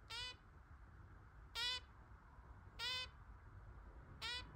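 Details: Newly adopted tame zebra finch chick on its first day in a home with pet parakeets and a cockatiel; short nasal harmonic calls, slightly falling, repeated about every 1.3 seconds over a low steady room hum.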